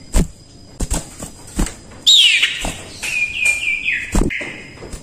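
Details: Common iora in full song, suitable as tutor song for other birds: a bright whistle sliding downward, then level and stepped whistled notes, amid loud thumps and taps.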